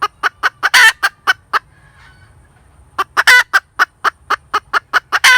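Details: A cackling hen gives rapid, evenly spaced clucks with loud, rasping, stretched notes between them. The calling stops for over a second partway through, then the clucks and harsh squawks resume.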